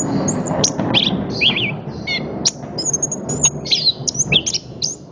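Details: Song of an orange-headed thrush with high thin whistles, chips and slurred notes over a steady background hiss and low rumble.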